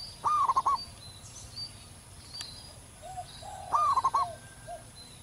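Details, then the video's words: Wild local zebra dove in full, loud song: two phrases roughly three and a half seconds apart, each opening with a rising coo then rapid stammering notes, softer low coos and faint distant bird chirps between. "perkutut lokal manggung gacor di alam liar suara besar"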